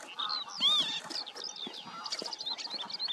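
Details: Northern lapwings in the Eifel, Germany, calling together: a jumble of wheezy, nasal notes, some sliding up then down, packed closely with no steady rhythm.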